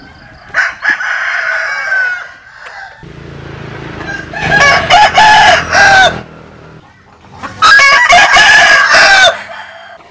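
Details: Roosters, Vietnamese chickens and American Sil, crow in turn: one crow at a distance, then two loud, close, ragged crows several seconds apart, with a low engine-like rumble between them.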